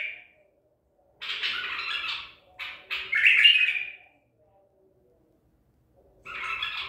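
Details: Wild-caught white-eared bulbul of the Baghdadi type, caught at Medical City, 14 April 2021, uttering a few harsh, squawky phrases around a second long with silent gaps between them.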